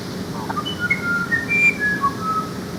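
Musician wren singing a string of pure, flute-like whistles, each on a different pitch, some sliding, unevenly spaced over three seconds above a faint low hum.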